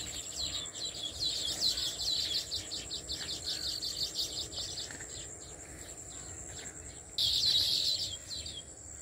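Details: Weaver birds building many nests in a farmhouse tree give a dense chorus of overlapping high chirps and chatter for about five seconds. A louder burst starts near seven seconds, over a steady high insect whine.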